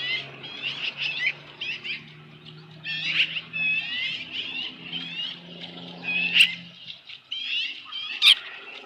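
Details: Osprey nest at a ranch, evening of 15 July 2018, headless fish delivered: a chattering series of thin, slurred whistled chirps, with a low steady hum underneath and a couple of sharp clicks.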